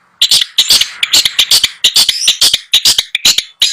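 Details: Long-tailed shrike from a bird seller in Bondowoso, Indonesia, delivers a rapid jumble of harsh, rasping notes and squeaky chirps, about two per second, loud and continuous with short gaps.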